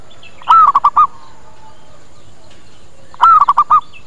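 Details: Zebra dove coo used as a lure to attract birds, two phrases about three seconds apart, each a drawn-out bent note followed by three short rhythmic coos, over a quiet background.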